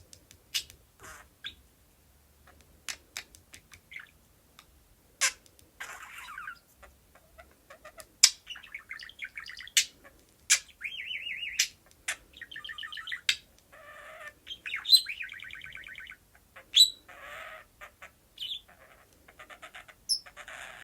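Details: A pet budgerigar at its mirror chatters nonstop in bright, scratchy warbles, clicks and short squeaky notes.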